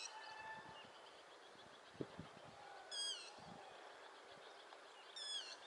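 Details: Yellow-wattled lapwing (Vanellus malabaricus), India, calling while running: two sharp, high, down-slurred notes about two seconds apart, over steady outdoor hiss with faint other birds and a few soft knocks.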